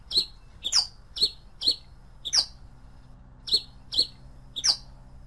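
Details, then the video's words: Pileated finch delivering crisp, high, downward-slurred chirps, single or doubled, spaced about half a second apart, each paired with a sharp click, with a short gap midway. "Canto del Granero Cabecita de Fósforo"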